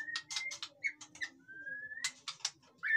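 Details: White-rumped shama sound for prompting lazy captive birds to sing: fairly quiet, with clicking high ticks, a long slowly rising clear whistle, and a low steady hum underneath.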